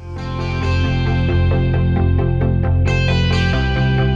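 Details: Loud guitar-driven rock music with strummed chords fills the recording, and no animal is heard.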